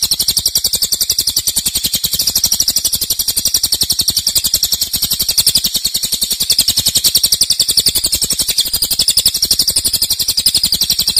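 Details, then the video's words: Loud, long-duration 'nembak' song of a cililin: a continuous, high-pitched, buzzy trill of fast, regular pulses held for the whole stretch without pause, only slight swells in loudness. "Cililin nembak keras dan Rafat durasi fanjang"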